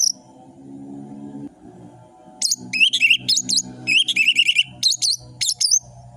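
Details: Fast orange-headed thrush song intended as a lure for quiet birds: after a droning low background, a rapid stream of sharp whistled notes and quick trills with high twisting slurs, repeated in short bursts.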